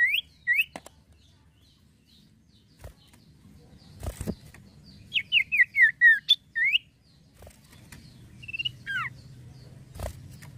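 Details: Male common iora singing in lively fashion: scattered bursts of clear, downslurred whistles sweeping between high and mid pitch, clustered mid-clip, with separate short notes before and after, broken by several sharp knocking thuds and low background hum.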